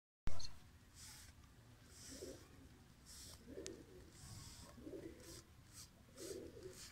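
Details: Pigeons kept in a loft, some painted with colour, give low soft cooing phrases roughly every second and a half over a quiet indoor hum, with brief hissy noises between.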